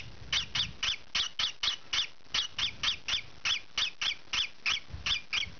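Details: Green pied peach-faced lovebird youngster giving loud, scratchy squawks while scratching, about nineteen notes in a brisk, slightly uneven rhythm, with faint low rustling.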